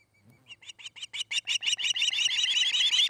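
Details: Osprey pair at their nest on a Charlo, Montana nest cam, August 29, 2018, afternoon: a run of sharp whistled chirps that start spaced and quiet, then grow louder and faster into near-continuous squealing, with a low steady hum beneath.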